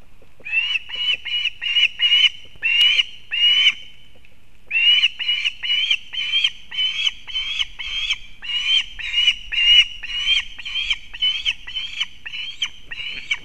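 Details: Female osprey bringing fish to her chick at a nest in Kurzeme, Latvia, on 31 August 2024, live nest camera: a long run of short, sharp whistled chirps repeated quickly and evenly, with one brief pause near the fourth second.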